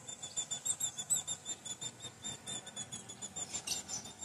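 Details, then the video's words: Female ultramarine grosbeak, said to be in strong breeding condition and soliciting mating, used to stimulate a cold male: quick, thin, high chips, about three a second in a steady run, over faint indoor hiss. "FÊMEA DE AZULÃO MELHOR PARA ESQUENTAR O SEU AZULÃO FRIO"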